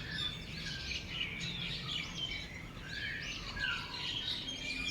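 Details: Several wild birds in a natural setting in Thailand chirp and whistle together, with dense overlapping high notes and a constant low rumble of background noise.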